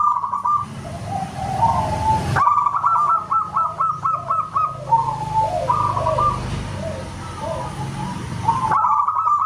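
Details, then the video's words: Local zebra dove in full song, described as loud like a whistle: rapid trains of clipped, ringing coos alternating with lower warbled phrases, partly masked by hissing noise bursts and a low hum. "Suara keras seperti Pluit Auto geger semua yg dengar"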